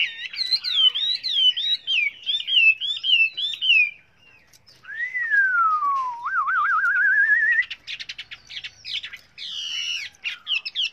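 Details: Chinese hwamei singing in many voices, with wavering, looping whistles, a pause, then a long clear note dipping and rising through a tremolo, followed by fast buzzy, scratchy phrases.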